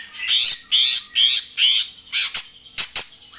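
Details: Greater green leafbird (Chloropsis sonnerati), call.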